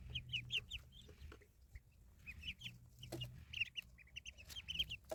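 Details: Village ducklings giving shrill, high peeps in clustered runs, several birds calling over one another, with a faint low hum and a few sharp clicks.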